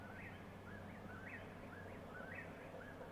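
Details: Eastern whip-poor-will singing at sunset near mines in Warrick County: faint, rolling 'whip-poor-will' phrases, several times a second, over a steady low hum and background noise.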